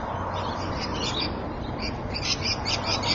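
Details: Rainbow lorikeet calls recorded at Evans Head on 26 May 2012, a run of thin, scratchy chirps that grows busier and louder toward the end, with steady low hum underneath.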